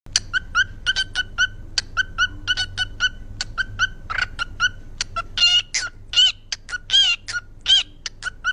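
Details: Pet parrot kept at home, giving a rapid run of short, sharp chirps and clicks, then louder, harsher squawking notes toward the end. The calls repeat irregularly over a faint low hum.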